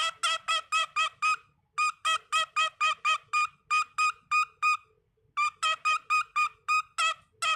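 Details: A male pet cockatiel chatters at bedtime, trying to talk his way out of it, with rapid runs of bright, clear chirping notes, about four a second, and short pauses between bursts.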